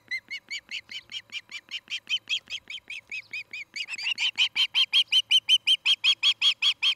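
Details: Osprey calling from a nest camera in Charlo, Montana, where a pair built a new nest; a long rapid series of piercing whistled chirps, about three per second, softer at first, then louder and more urgent halfway through.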